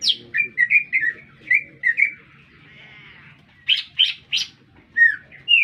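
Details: Lesser green leafbird singing in the middle of a town: short slurred chirps, a brief quiet gap with a faint hum, then loud sharp whistled bursts and more chirps.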